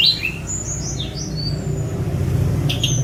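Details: Sunda robin, a free-flying mountain bird released outdoors and recorded on a phone: brief thin high whistled notes and short rising slurs, some sliding downward, over a steady low hum, with a sharp click near the end.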